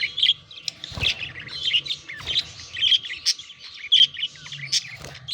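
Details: Courtship chatter from pet budgerigars around mating: continuous twittering warble with scratchy chirps and a few clicks or knocks, and a low hum behind.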